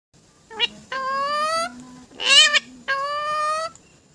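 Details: Talking parrot producing drawn-out, nasal, voice-like tones rich in harmonics. Three long held sounds and shorter clipped ones suggest spoken syllables, with a faint low buzz between them.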